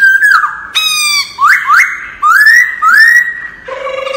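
A laughingthrush sings loud, full whistled phrases, most sliding upward, one every half second or so, closing on a lower, steady buzzy note.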